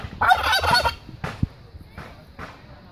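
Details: A Bronze domestic turkey gives a loud, harsh, rapid rattling gobble lasting under a second, followed by three fainter, shorter rattles.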